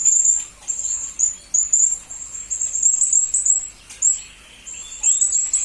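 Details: Hanging parrot song used to train murai and kacer birds: long runs of shrill, very high chirped notes strung almost continuously, broken by brief gaps, with some lower rising slurs near the end.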